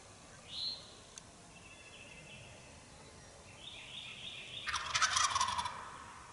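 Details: Eastern wild turkey gobblers during an early-morning Mississippi turkey hunt: a dense, loud, rattling burst near the end, lasting about a second, after high whistled songbird phrases earlier on, in a quiet outdoor setting.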